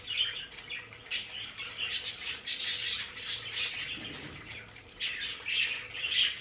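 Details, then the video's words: Several pet budgerigars chatter in their play area: continuous high, rasping warbles and squeaky chirps overlapping, with brief louder peaks and a steady low background hum. "Sonidos de periquitos Australianos"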